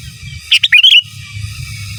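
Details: Single bright phrase of a sooty-headed bulbul in gacor, giras and menggaruda master-song style: a few sharp chips followed by a rising, wavering whistle, with soft low rumbling background.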